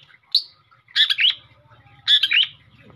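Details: Long-tailed shrike in energetic song, suited for prompting other birds to sing: a short high note followed by two clusters of harsh, buzzy, chattering notes about a second apart, with a faint low hum beneath.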